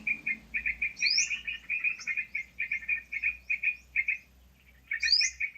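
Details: Sooty-headed bulbul sound used as a lure for trapping birds: a fast, steady run of bright mid-pitched chirps. Higher up-slurred notes break in near the start and again near the end, after a brief pause.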